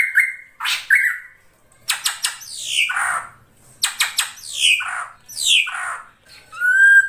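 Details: Ashy drongo, krantil saeran type, in a lure recording: a flat whistle, then rapid clicking notes and slurred, descending harsh calls repeated in several phrases.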